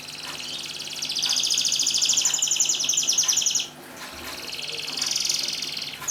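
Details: Canary singing to stimulate reluctant canaries: a fairly quiet, rapid buzzy trill that breaks off, then resumes after a brief gap, with background noise.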